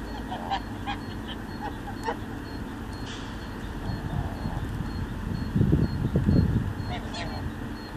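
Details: Geese calling on a Wednesday morning. A steady low rumble runs throughout, with a cluster of loud, rough honks near the end and scattered fainter honks earlier.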